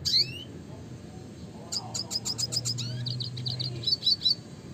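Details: Spinus cucullatus, the red siskin, in classic song: an opening high slurred note, then a quick series of bright repeated chirps and a twittering phrase, with a faint low rumble beneath.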